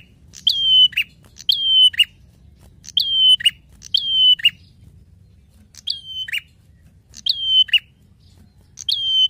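A prinia sings loud, bright phrases, each a sharp whistled note with buzzy ticking. The phrases repeat about every second in short bursts over a faint low rumble.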